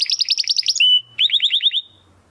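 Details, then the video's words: Domestic canary singing a 'crystal voice' song, used as a master recording for training competition birds: fast high buzzy trills, then a steady pure whistle, then a run of rising-falling slurred notes repeated quickly. "Kenari Gacor Suara Kristal Buat Masteran Burung Gantangan"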